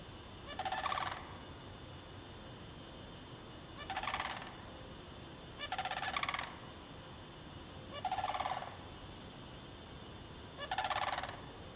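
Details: Wild sandhill cranes, a mating pair, in the bog of Derby Reach Park in March 2009, giving loud rolling, rattling calls in five bursts roughly every two to three seconds, with a steady background hiss.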